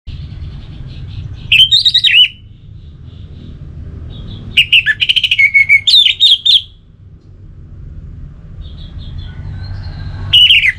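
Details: Orange-headed thrush, a kept songbird in North Bali, Singaraja, sings three bursts of rich, varied whistled phrases with quick slurred and trilled notes, separated by pauses, over a steady low hum.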